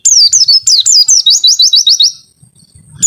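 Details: White-eye (pleci) in a long 'wit-witttt' song: a few high falling whistles followed by a steady run of about eight quick rising chirps, then a short pause and a new note.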